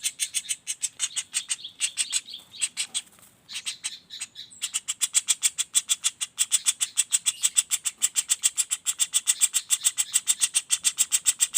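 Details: Non-stop rolling call of a juvenile common flameback: rapid dry high notes about three and a half per second, briefly faltering and softer midway, then resuming steady and strong.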